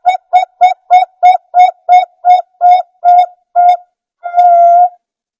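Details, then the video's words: Clean, loud zebra dove lure song (perkutut pancingan): eleven short, hollow coo notes, spaced a little wider toward the end, then a pause and one long, drawn-out held note. The background is silent. "perkutut lokal gacor|pancingan perkutut"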